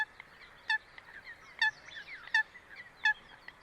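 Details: Coot in its natural wetland habitat giving short, sharp, nasal call notes repeated about every 0.7 seconds, with faint softer calls of other birds in the background.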